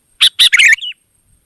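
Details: Wild sooty-headed bulbul singing: two loud chirped notes, then a bubbly run of warbled notes ending in a short falling whistle, all within about one second.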